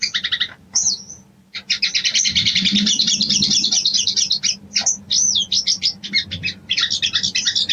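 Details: Female sooty-headed bulbul calling a male as a breeding lure: a few sharp chirps and a rising whistle, then a long dense twittering run ending in spaced, upslurred chirps.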